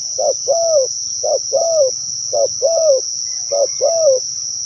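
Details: Rapid spotted dove coos used as a lure, four quick pairs of a short note and a falling hoot roughly one second apart, against a persistent shrill insect drone.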